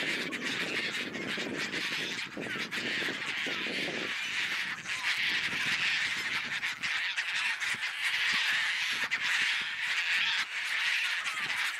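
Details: Wild Caspian tern nesting colony on low islands in the Selenga delta, Russia: a dense, continuous din of overlapping harsh calls from many birds, with low rumbling wind noise in the first seconds.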